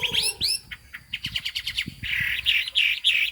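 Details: Chinese hwamei in cao cầu song, fig-leaf tail and turmeric bill: a couple of upswept whistles, a rapid train of clicking notes, then rounded warbled phrases repeated about four times.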